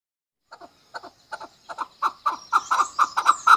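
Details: Hunter chukar partridge calling: after a brief silence, a series of doubled chuk notes starts softly and grows louder and quicker, roughly two notes per second, ending in a loud steady run.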